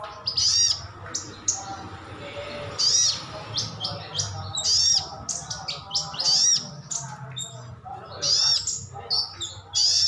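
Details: Sogon or sogok ontong, the crimson sunbird, giving 'ngalas' wild-type calls meant to get other birds answering; high, sharp, slurred chirps in quick clusters with brief pauses, irregularly repeated, with low background hum.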